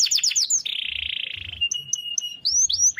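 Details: Canary singing long rolls for training other birds: a few swept notes, then a lower steady buzzing trill of over a second, followed by short high pips and rising slurs.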